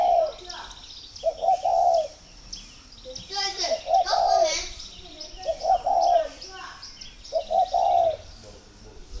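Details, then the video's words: Spotted dove kept for breeding in Ba Vì, Hanoi, Vietnam, cooing as a sign of readiness to pair: four low rolling coo phrases about two seconds apart, mixed with a human voice and busy high chirps of other birds. "Dấu hiệu để ghép chim cu gáy"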